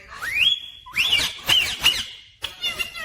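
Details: Pet rose-ringed parakeet imitating human words like mummy and papa: several loud, rising, squeaky voice-like syllables and whistled slides, with brief pauses and a harsher burst at the end.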